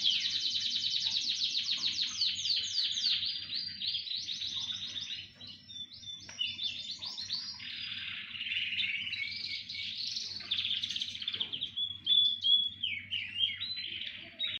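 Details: Group of canaries singing in chorus, a long varied performance of rolling trills, buzzy sweeps and twittering phrases, briefly softening midway before swelling again, high and bright throughout.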